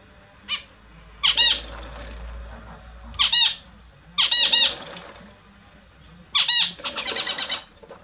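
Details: Morning bath of pet Australian zebra finches; loud buzzy, nasal call bursts of rapid stacked pulses about every two seconds, ending in a longer stuttering series, indoors with little other noise.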